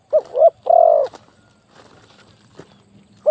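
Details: Decoy spotted dove, said to have a very big voice, utters one short coo and a long, sustained croo. Quiet rustling and faint background noise follow.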